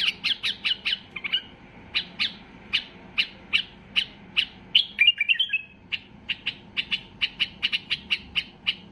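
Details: An agitated white-eared bulbul fires long runs of crisp, evenly paced chip notes broken midway by a quick warbled twist, sung at peak excitement to force other bulbuls to sing.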